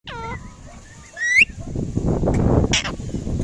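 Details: Indian ringneck parrot giving loud, harsh rising screeches: a harmonic call at the start and a sharper upswept shriek near 1.3 seconds, followed by rustling and low background noise.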